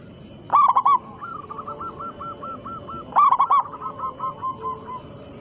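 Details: Perkutut lokal lure song meant to make rival zebra doves answer: two loud cooing bursts, each followed by a long run of quieter evenly spaced coos, over background hiss.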